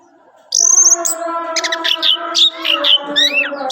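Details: Orange-headed thrush singing: a high drawn whistle opens, followed by clipped, rapid notes and twisting slurs, all over a constant low hum in the background.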